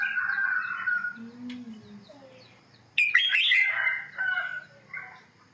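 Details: Southern Thai-style song of a Red-whiskered bulbul, a competition bird: a bright whistled phrase, a pause with faint low notes, then a loud tumbling burst of chirps and warbles that fades into a final short whistle.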